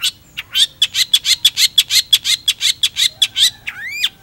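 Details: Lively long-tailed shrike song: a steady stream of scratchy, harsh notes about three per second, each with a whistled overtone, ending in a sweeping rising whistle.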